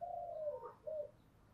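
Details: Spotted dove singing in the 'giọng thổ' style, faint and distant: a long, low, slightly falling coo followed by a short soft double note, over a background hum.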